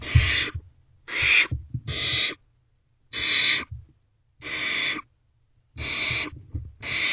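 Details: Barn owl owlets in a nest box on the evening of 21 May 2023, 9:12 pm, as one feeds on a rodent while its siblings watch; about seven harsh, broadband hissing bursts, each half a second, with soft thumps in between.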